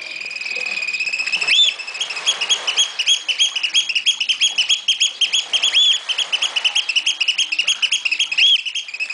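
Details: Oystercatchers at Walsrode, Germany, give loud, shrill piping notes in a fast, steady run of about five per second, with a few sharper rising kleep calls standing out.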